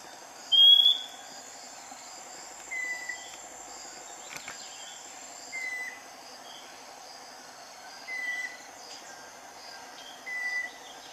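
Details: Scaly-breasted wren delivering a higher, louder opening whistle followed by four lower, slightly falling pure whistles at intervals of two to three seconds, amid constant insect noise.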